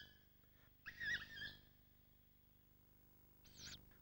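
Tawny Owl giving two sharp, harsh 'ke-wick' calls about two and a half seconds apart, the first longer and wavering, over a faint steady hum.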